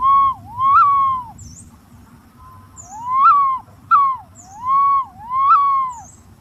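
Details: Green pigeon call: a series of fluty, arching whistles rising and falling around mid pitch, one phrase, a pause, then three linked notes; scattered high chirps of other birds and faint low rumble.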